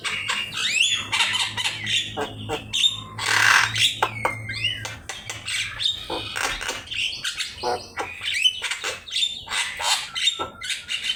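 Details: Javan myna master song for teaching birds: an energetic mix of rasping squawks, clicks and descending whistles in a near-continuous stream, with a steady low hum underneath.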